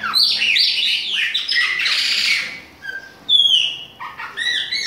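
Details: Chopi blackbird, Bahia style, autumn, youngster mentioned: dense burst of buzzy chatter and whistles, brief pause, then long clear descending whistles and short rising notes.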